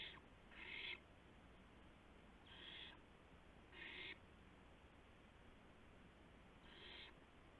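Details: At night on April 2, 2016, an owl delivers a gopher to another owl. Short breathy hissing screeches, some paired, come at irregular intervals over constant hiss.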